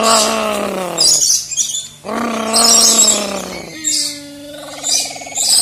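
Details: Maleo in the wild: harmonic, nasal calls that slide slightly downward, two long calls about a second apart, with bright high chirps from other birds or insects overhead and a steady low hum.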